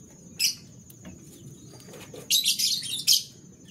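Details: Canary in the morning: one sharp high chirp, then after a quiet stretch a loud run of dense, buzzy warbled notes, over a faint low hum.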